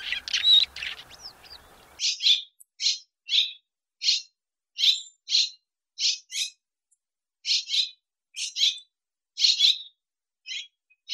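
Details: Swallow from Russia: about two seconds of a dense, noisy twitter, then clean, separate chirps at a high pitch, repeated roughly every half second to second, each short and buzzy.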